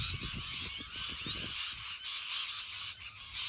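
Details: Shrill, crowded screeching from a huge flock of rainbow lorikeets, with low knocking bumps during the first second and a half and a few clearer whistled notes.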